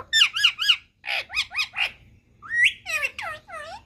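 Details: Pet Indian ringneck parakeet, a green parrot in India, talking: three quick harmonic chevron-shaped squawks, then three more after a pause, then a rising whistle and several harsh downward-curving calls.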